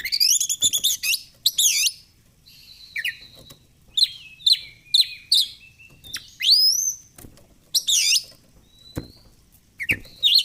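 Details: Energetic fighter-style song of an oriental magpie-robin: harsh rasping bursts, twisting whistled notes, a steep rising sweep and scattered chirps in lively, irregular sequence.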